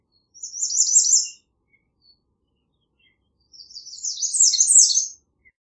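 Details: American redstart repeating its song twice: high, quick strings of sharp notes, the second phrase longer and ending with a flourish.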